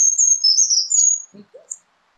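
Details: Brown creeper in the Nederland region, heard near Mud Lake, gives very high, thin, hissing notes drawn out about a second, then a faint low murmur and one last brief high tsee.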